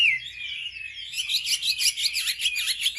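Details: Wambi singing a provoking lure song: a high, thin whistle slides down at the start, then a dense, buzzy chatter of rapid chirps runs on without pause.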